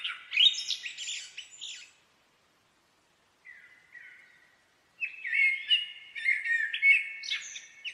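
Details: Common blackbird song: a rich fluty phrase ending in squeaky twitters, a soft quiet fragment after a short silence, then a loud flowing warble with high chirpy notes; a clean recording with no background.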